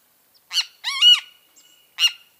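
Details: Great kiskadee, locally called bem-te-vi, giving three loud, raspy, buzzy notes. The middle note is longer and sweeps up and down, and quiet pauses separate the notes.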